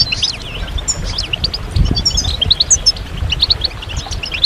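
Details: Goldfinch group calls, European goldfinch, said to rouse males into song and mark breeding readiness; sparse, sharp high tweets and short upslurred notes spaced irregularly, with low rumble beneath.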